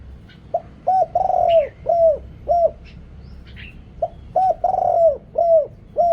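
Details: Luring call of a deep-voiced spotted dove kept as a decoy in Thailand, background noise cut: two phrases of clipped coos around a drawn-out rolling coo, with brief high chirps from another bird between.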